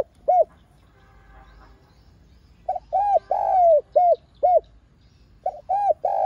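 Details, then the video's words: Lure recording of a spotted dove giving calling and urging coos to excite caged birds: one short hollow coo, a pause, then a run of five hooked coos, and three more rapid coos at the end. "Tiếng Cu Gáy MỒI CHUẨN Giọng Hay Hạp BổI ĐỦ BÀI [GÁY GỌI,THÚC ]"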